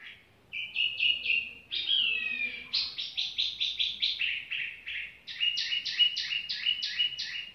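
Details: Tiểu mi bird singing casually: bright whistled notes repeated in quick rhythmic series, a sliding slurred phrase near two seconds, then steady pulsing bursts of doubled notes continuing to the end.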